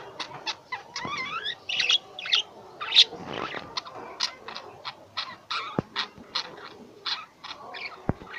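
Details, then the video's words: A group of pet lovebirds chattering, with rapid high squeaky chirps, a short zigzag trill near the start and a few soft knocks in the background. "Love Bird | I love my Birds| Sweet Voice"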